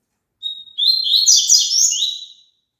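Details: Double-collared seedeater song, played for caged birds to sing along with: one high phrase that opens with a thin steady note, then breaks into a fast, dense, twittering warble lasting about two seconds, with no other sounds around it.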